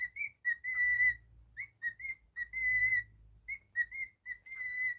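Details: Pet male cockatiel repeating a whistled tune of short slurred notes alternating with long level whistles, about two phrases, with a faint low hum behind.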